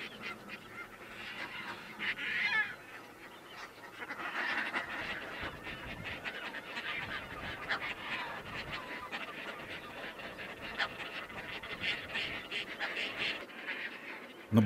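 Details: Caspian terns at a nesting colony on islands in the Selenga River delta by Lake Baikal, parents feeding chicks, give harsh, rasping cries that overlap continuously, with busy colony clamour throughout and a louder burst near the start.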